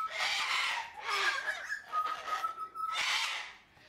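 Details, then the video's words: Sulphur-crested cockatoo, a large white cockatoo of wooded habitats in Australia, New Guinea and Indonesian islands: three loud, harsh, broad raucous screeches, with a steady whistled tone between them. "Sulphur Crested Cockatoo"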